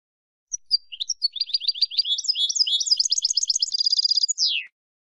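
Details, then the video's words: Female European goldfinch calling to rouse a quiet male to sing: a continuous, high twittering run of quick notes that turns into a fast even trill and closes with a sweeping downward slur. "بتبتة انتى الحسون لتحفيز و تهييج الذكر الساكت"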